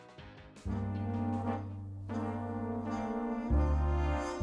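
Sustained low brass chords, trombone and horn, swelling in loud held notes with no animal sound present.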